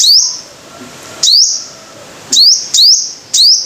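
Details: Five-coloured sunbird gives high, thin, upslurred whistles, each with a clicky start and a held bright tail. One note opens, then after a long pause three come in quick succession. The setting is otherwise still.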